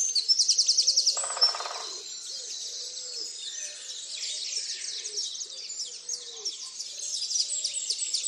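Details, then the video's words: Chorus at first light, Tophill Low nature reserve near the main hide picnic table, 30 March 2019. It opens with a loud, rapid high trill, then a lower rattling burst, before layered twittering song from many birds continues. "TopHill Low dawnchorus 30/03/2019"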